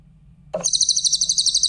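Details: Clear-voiced grey-headed canary-flycatcher song, used for training other songbirds: a brief lower note, then a fast high thin trill of rapidly repeated sweet notes lasting about a second over faint low hum.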